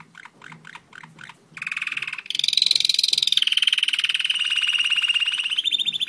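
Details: A one-year-old German Roller-split canary gives a few spaced soft notes, then bursts into a dense, harsh, continuous rolling trill that holds steady for several seconds.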